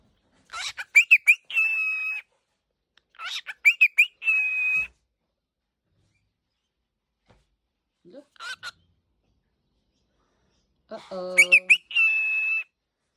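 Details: Pet cockatiel calling after waking: short bursts of sharp chirps each ending in a held, steady whistled note, repeated in groups with silent gaps, and a faint human voice near the end.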